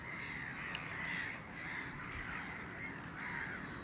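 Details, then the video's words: A single Caspian gull, recorded on 9 March 2016, giving a series of drawn-out, nasal, mewing notes that rise and fall, repeated roughly every half second to a second over steady background noise. "Goéland pontique"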